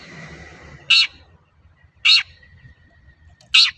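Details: Long-tailed shrike in full voice, used as a lure to make other shrikes sing: three harsh, rasping notes roughly a second apart, with a faint steady high tone and low rumble behind.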